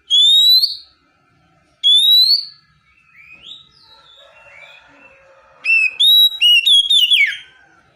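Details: Oriental magpie-robin song for training caged birds: two loud rising whistles, a stretch of soft twittering warbles, then a burst of quick, stuttering high notes ending in a downslur.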